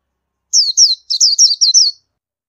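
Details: Indian white-eye producing a quick chattering run of about six high, downslurred notes within a second and a half, clear and isolated.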